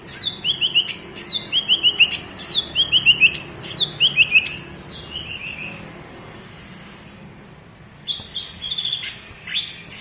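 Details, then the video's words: Cucak ijo of Alas Purwo, Banyuwangi, giving the bebeci song favoured for contests: series of steeply falling whistles, each ending in a short low trill, repeated about six times, a quiet gap, then more rapid high phrases. "Suara Bebeci Khas Cucak Ijo Alas Purwo Banyuwangi"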